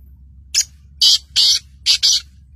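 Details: Black francolin of the Sindhi type from Sindh, calling: five harsh, grating notes in about two seconds, a short first note, two longer buzzy notes, then a quick closing pair, over a faint low hum.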